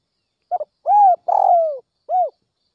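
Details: In early morning in northwestern Vietnam, a calling spotted dove gives soft, hollow coos: a quick double note, a long arched coo, a rougher rolling coo, then a final short coo.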